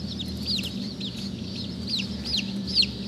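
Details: Several Black Langshan baby chicks give overlapping high, slurred peeps. The peeps form a busy chorus above a loud, steady low hum.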